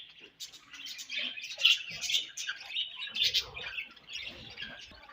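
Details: Pet budgies chirping while eating, a continuous buzzy warble with sharp chirps rising in short bursts every second or so, and faint low rustling beneath.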